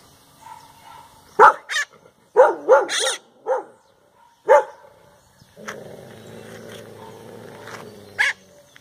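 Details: A maritaca parrot imitates the neighbourhood dogs barking at passers-by, giving about seven short, husky, dog-like barks in uneven bursts, followed by a low rumbling noise in the background.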